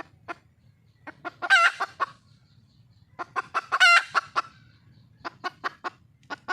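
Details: Red junglefowl hen in the wild calling to attract a male, giving rapid runs of short sharp clucks that build into a loud rasping squawk, twice, followed by more clucks.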